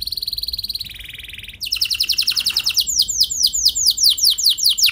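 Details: Canary singing as a lure recording meant to prompt other canaries to answer: a fast buzzy trill, then a long run of quick, repeated downslurred whistles, several per second, bright and high.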